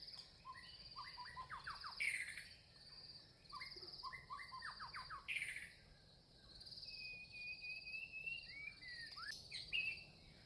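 Red-vented bulbul giving quick bubbly chirps in short bursts, with a longer whistled phrase near the end; a steady high insect buzz runs underneath.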